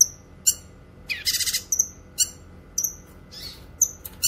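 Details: A Grey-cheeked bulbul, recorded as a song tutor and lure for wild birds, gives sharp, high chirps and short whistled notes about once a second, with one brief rapid trill in between.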